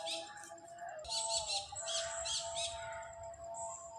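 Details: A pet parakeet chatters in loud, scratchy bursts of high chirps and squawks, pausing briefly between bouts, over a steady low hum or faint music.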